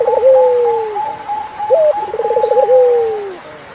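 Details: Repeated turtle dove phrases: a long falling coo, then a brief upturned note, a rapid purring roll and another sliding coo. A higher bird's sustained pulsing whistle continues through most of the recording.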